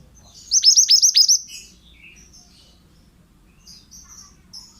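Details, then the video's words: Pied bushchat, singing energetically on a recording meant to train other birds, opens with a quick run of six sharp descending whistled notes, then only scattered faint high chirps follow. "BURUNG MANTENAN GACOR--MASTERAN AMPUH"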